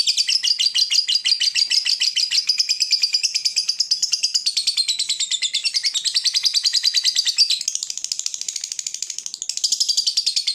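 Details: Long ngekek of a fighter lovebird, a trill said to provoke rival birds into singing: an unbroken, very fast buzzy chatter of high pulses running over ten seconds, shifting slightly in pitch.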